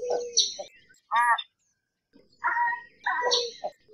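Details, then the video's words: American white ibis giving hoarse, nasal honking notes in a few uneven bursts, with thin high chirps from other birds in the background. "American White Ibis Call Sound"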